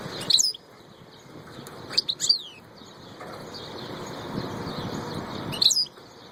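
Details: European goldfinch, called royal goldfinch: three short bursts of bright, high twittering chirps, quick and tinkling, near the start, around two seconds and near the end, separated by quiet gaps over steady hiss and a constant high tone.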